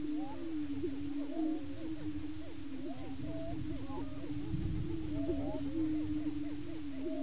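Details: Male Greater Prairie Chickens displaying and fighting on a lek in Washington County, Kansas, to establish breeding territory: a steady low droning moan underlies many overlapping short rising whoops and cackling notes from several birds.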